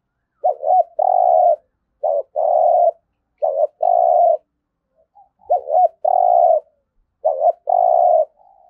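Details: Spotted dove giving a fast series of 'thúc gù' urging coos, played daily to train decoy birds: five phrases, each a short warbled double note and a sustained purr, about one phrase every one and a half seconds.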